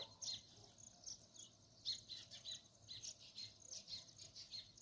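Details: Sparrows chirping: short, high, thin chirps repeated roughly twice a second in an uneven stream, fairly quiet, over a soft low steady hum.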